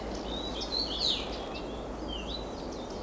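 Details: Garden warbler singing hidden among blossoming bird cherry or higher in alder: a fast, mellow run of warbled notes, brightest in the first second and then softer, over a steady outdoor hiss.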